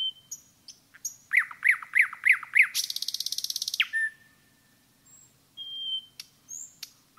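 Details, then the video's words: In a forest, a nightingale repeats a loud, ringing note five times, breaks into a dense buzzing rattle, then follows with scattered thin whistles and short calls. "пение СОЛОВЬЯ в лесу"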